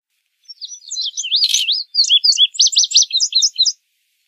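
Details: Indigo bunting delivering a single song of quick, high, paired slurred notes, brightening toward the end, with one sharp click partway through.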